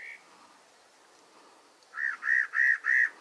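A Spot-breasted parrotbill gives four harsh, nasal notes in quick, even succession, about three per second, after one faint note and a short pause.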